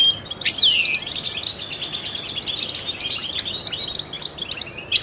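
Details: Trained European goldfinch song used to stimulate other songbirds: a sharp downslurred whistle opens, then a rapid, buzzy, rattling twitter of high notes with scattered clear chirps.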